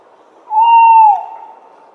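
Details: Tawny owl giving a single clear, steady whistled hoot lasting under a second, level in pitch and dipping slightly at the end, in a quiet setting.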